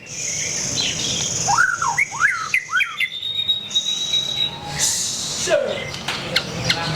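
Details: White-rumped shama, a kept songbird, giving a short series of rising whistled slurs repeated about four times, then a thin sustained high whistle and a lower dropping note, over a steady background hiss.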